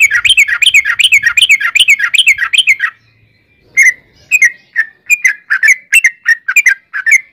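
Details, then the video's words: Yellow-vented bulbul in lively 'gacor' song with a long rapid 'ropel' run, used as a lure to set other bulbuls singing: about three seconds of fast, bright, repeated chirpy notes, a short pause, then spaced sharp notes. "trucukan gacor ROPEL PANJANG buat pancingan trucukan agar bunyi"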